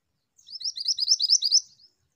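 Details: Female pied bushchat in lively song, a rapid string of sharp, high twittering notes repeated about ten times in quick succession over roughly a second and a quarter, clean with no background noise.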